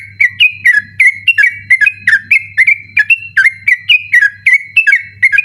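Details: Sooty-headed bulbul in determined nighttime 'ropel' song used as a training recording: a steady, brisk series of clear, slurred whistles, about three per second, over a low electrical hum.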